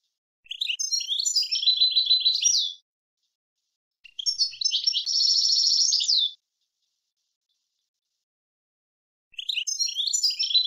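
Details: Clean tutor recording of European goldfinch song in an approved style: long bright phrases of rapid twitters that run into a fast, even buzzy trill, repeated with several seconds of quiet between phrases.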